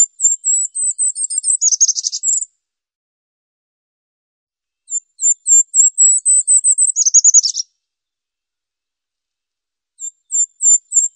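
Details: Goldcrest repeating its very high, thin phrase: rapid series of tiny sibilant notes rising into a slightly lower twittering flourish, given three times with silent gaps of about two seconds, the last phrase cut short.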